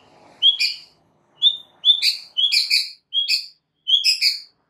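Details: White-rumped shama (murai batu) singing for a training recording to make other shamas respond: a repeated high whistled phrase with a quick downward flourish, given six or seven times at roughly half-second gaps.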